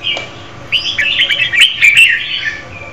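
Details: A female red-whiskered bulbul sings to stimulate a male, one continuous run of fast, jumbled chirping and warbling notes after a brief opening chirp, fairly loud and close.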